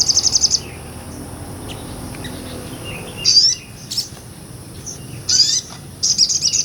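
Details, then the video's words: Sogon sunbird singing 'ngobra' for songbird tutoring: a short shrill high trill, a long quiet gap, then scattered sharp squeaky notes and another rapid very high trill closing the passage. "MASTERAN SOGON NGOBRA"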